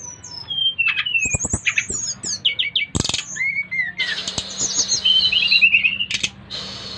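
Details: Brown-chested jungle flycatcher from Bali, five months old, recorded July 2024, singing to stir other birds into song: varied clear whistled phrases, rising and falling slurs mixed with sharp clicks, over a low steady hum.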